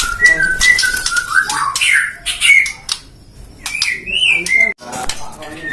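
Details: Captive-bred shama from a Depok breeding farm, Indonesia: a series of paired whistled notes, then harsh scratchy bursts, a quiet gap, and more rising and falling whistles.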